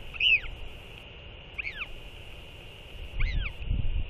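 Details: Morning skycalling between a northern royal albatross pair after they fed the chick. Three curved, wavering harmonic calls, the first loudest, with gusts of wind rising toward the end.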